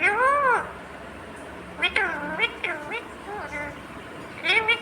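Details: Green ringneck parrot talking, said to be saying "mummy papa": a loud opening syllable arching up then down, followed by a run of shorter tonal, harmonic syllables that rise and fall over about four seconds, ending in another bright burst.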